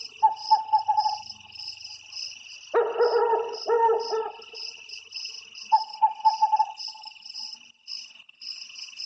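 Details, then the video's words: An owl gives short bursts of rapid mid-pitched notes and one harsh, rasping double screech, all over a steady, high, shrill insect chorus. "Suara burung hantu"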